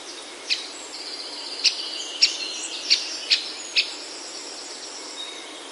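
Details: Bird in a Himalayan oak forest of Himachal, India: six sharp, high chirps spaced roughly half a second to a second apart, over a thin steady whistle and quiet forest hiss.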